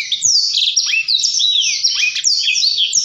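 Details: Blackthroat in full ngerol song, a dense, nonstop run of bright, high twittering whistles and quick down-slurred phrases, delivered loudly and without breaks.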